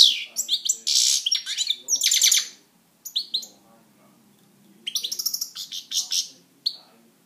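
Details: European goldfinch kept as a pet sings in bursts of bright high twitters and harsh buzzy notes, broken by pauses, with a faint low hum in the room.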